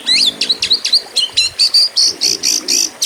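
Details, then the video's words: Oriental magpie-robin of the 'kacer petarung' contest type: quick whistled chips and slurs that settle into a steady row of harsh buzzy notes. Faint low background noise is present. "KACER PETARUNG! Cocok buat masteran burung kontes"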